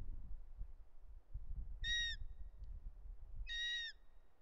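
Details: Bonelli's eagle fledgling in the Ports, Catalonia, August 2023, calling while its father brings a snake; two shrill, piercing squeals about one and a half seconds apart against a low background rumble.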